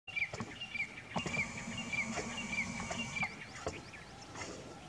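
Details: Pale Martins circling above their nesting colony in a sand site by Ranthambhore National Park, being destroyed by excavation, give short, high distress chirps, roughly two a second, over a steady rumble and clatter of machinery.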